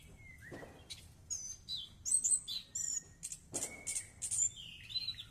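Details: A thrush singing while bathing in the morning: a rapid, varied run of high whistles, trills and sharp chirps, with short sliding notes and a steady, quieter whistled tone underneath.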